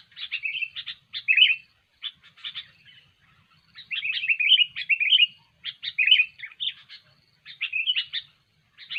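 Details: Vigorous kutilang song for luring birds into traps: clusters of dry, buzzy ticks and brighter warbled notes come in phrases separated by short pauses, each burst a second or so long.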